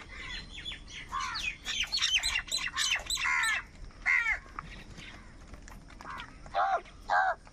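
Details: Several crows squabbling and calling over food, a dense run of harsh, ragged caws in the first half, then spaced single caws about once a second toward the end.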